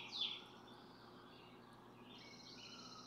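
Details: A barn swallow at its nest holding 4 incubated eggs in June gives one sharp, high chirp, followed by faint, thin twittering over a steady background hum; parents take turns sitting and keeping watch.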